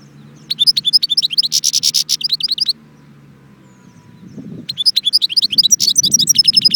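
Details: Goldfinch song from Jbel Wahch, Constantine: fast bright twitters and a buzzy trill for about two seconds, then a pause in which only a low background hum remains, and then the twittering resumes.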